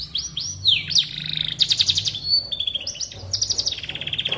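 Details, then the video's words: A canary sings, recorded as training sound for magpie robins: downward swoops, a loud buzzy trill, scattered whistled phrases, then a long even run of rapid repeated notes; low hum beneath. "Suara Burung Kenari Cocok Untuk Masteran Burung Murai Batu"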